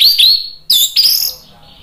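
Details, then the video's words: Orange-headed thrush song played to provoke a bird that has stopped singing into answering. Two short phrases of sweet, high, sliding whistles are separated by a brief gap, followed by a faint trailing note. "PANCINGAN ANIS MERAH biar EMOSI jadi NYAUT BUNYI GACOR NGEPLONG"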